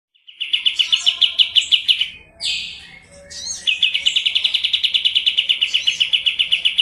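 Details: Kapas tembak white-eye of the Medan type, a lively kept songbird, in a fast rolling song: rapid runs of sharp, evenly repeated high notes, a brief harsh burst midway, then a long steady trill to the end.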